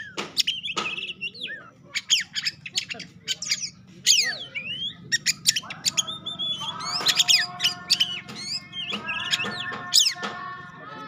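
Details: Oriental magpie-robin, a caged bird in Indonesia, giving sharp clicks and chips followed by whistled swooping phrases and harsh rasping notes, with a steady low hum beneath and a second sustained tone in the latter half.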